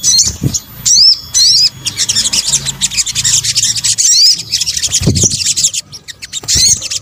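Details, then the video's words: Sunbird, called sogok ontong locally, in a combined calling track for luring birds: opening upward-slurred whistles followed by busy, unbroken high-pitched twittering and chirps. "kombinasi suara sogok ontong"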